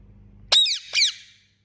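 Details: Pet Indian ringneck parakeet giving two loud, harsh screeches, each a high rasping burst sliding downward, the second following about half a second after the first.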